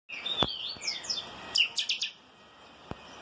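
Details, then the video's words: Chopi blackbird (chanchão) singing in the 'calçada baixa' song style: a gliding whistle, a few downslurred notes, then a quick burst of sharp, bright chirps and a single click near the end. "Chanchão canto calçada baixa"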